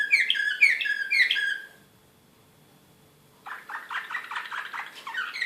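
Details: Excited Serbian singer canary recorded in Belgrade in 2016, singing quick chirped phrases, then falling silent for over a second before resuming with a fast rolling series of notes.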